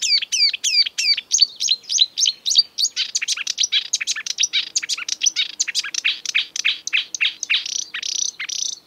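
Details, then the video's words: A marsh warbler in the breeding season, a species that mimics European and African birds, sings an exuberant, rapid stream of high notes, ringing repeated phrases tumbling into fast chattering and twittering medley. "An exuberant marsh warbler (Acrocephalus palustris)"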